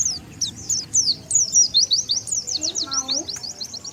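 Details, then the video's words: Oriental white-eye lure calls for drawing in wild birds: high chirps building into a fast chattering series, with a brief low voice-like sound late on and background hiss. "SUARA PIKAT BURUNG PLECI SANGAT AMPUH,DENGAR SUARA INI BURUNG PLECI LIAR LANGSUNG NGUMPUL"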